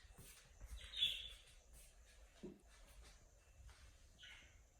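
A cockatiel gives two short, scratchy mid-pitched chirps about three seconds apart, over a steady faint background hiss and low rumble.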